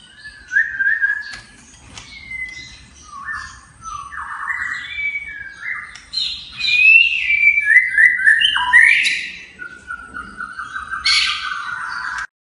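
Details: White-rumped shama pouring out a long many-voiced song of whistled phrases, slurred notes and buzzy trills, rising and falling in pitch, with a loud sharp flourish near the end.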